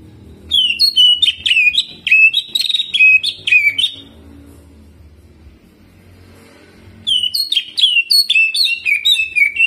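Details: Cucak ijo (Greater green leafbird) in lively jamtrok song with ciblek-imitation filler and rolling runs: dense bursts of sharp, bouncing whistles, then a pause of about three seconds before the chattering phrases resume.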